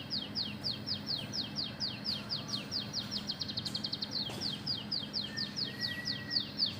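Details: Canary-imitating song from an Oriental magpie-robin: fast falling whistles that speed into a tight rattling burst, then relax again; a thin steady whistle sounds briefly near the end, over a low hum.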